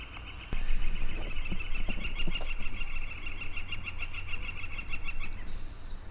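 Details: A Northern Flicker at the Sax-Zim Bog Welcome Center, northeastern Minnesota, on a foggy, calm early morning on April 28, 2020, gives its rapid, rhythmic 'flicka-flicka-flicka' namesake call of slightly nasal notes for about five seconds over low rumble.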